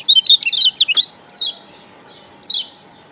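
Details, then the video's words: Lombok yellow white-eye lure: a quick, chattering high twitter of overlapping short notes for one second, then two separate descending chirps about a second apart. "Pancingan Kecial Kuning Paling CEPAT Bikin Kecial JOSS NEMPEL"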